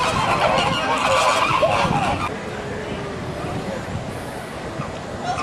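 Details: A flock of pink flamingos in San Diego: overlapping nasal, goose-like honks crowd the first two seconds, then thin out beneath a steady low background rumble.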